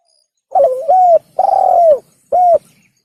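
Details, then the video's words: Spotted dove call used as a hunter's lure: a quavering lead-in sliding into a coo, a long drawn coo dropping at its end, then a short arched coo, clear and close. "Pikat Burung Tekukur / Suara Burung Tekukur | The Sound of The Turtledove"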